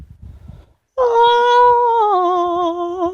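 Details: Pet female Amazon parrot giving a long, steady, hummed tonal note that holds level for about two seconds then drops slightly, indoors with quiet speech before it.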